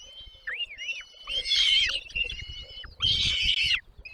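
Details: Nestlings calling for food while parents feed them at the nest: short upslurred whistles give way to two loud bursts of scratchy, buzzing begging, with faint rustling beneath.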